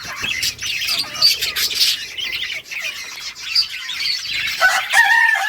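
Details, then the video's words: Budgies in a colony, playing and chirping: busy overlapping twitters and squawks, ending with a few clearer whistled notes from a single bird. "budgies beautiful colors playing and chirping sounds for lonely birds"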